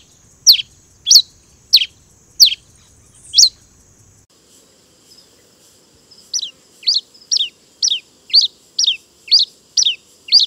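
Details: Pileated finch (tico-tico-rei-cinza) singing a series of sharp, high, downward-slurred chip notes, about two per second. A pause around the middle is followed by a faster, evenly spaced run of similar notes over a quiet background.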